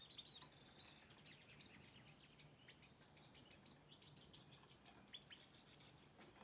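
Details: A European goldfinch and a canary sing together: a fast, tinkling twitter of high chirps and trills without pause, over a faint low hum.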